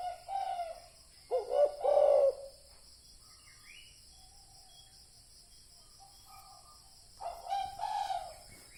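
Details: Spotted dove lure call for decoy trapping. A burst of low, hollow coos opens the recording, then a long quiet gap with faint distant chirps follows, and a few more coos close it.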